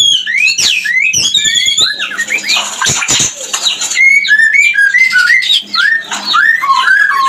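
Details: White-rumped shama song used daily to bring other shamas into breeding condition: quick upslurred whistles and clicks, then a run of short, repeated mid-pitched whistled phrases rising and falling with buzzy chatter.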